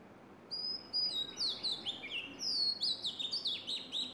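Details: Oriental magpie-robin calling spiritedly in Sundarban mangrove forest near playing rhesus macaques: a lively run of loud, clear whistles, many slurring downward, given in quick repeated phrases for about three and a half seconds over faint background hiss.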